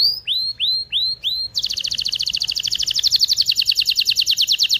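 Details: Canary song for readying males and females to breed: several loud rising whistled sweeps, then an extremely fast, even metallic trill running on to the end.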